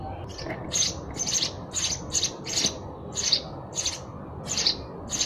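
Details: Sparrow chirping: high, slightly harsh chirps delivered in an irregular series of about ten notes in five seconds, each a short bright burst, against a constant low rumbling background noise.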